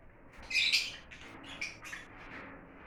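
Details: Lovebirds as exotic birds, a loud harsh shrill squawk followed by several shorter screechy chirps tailing off.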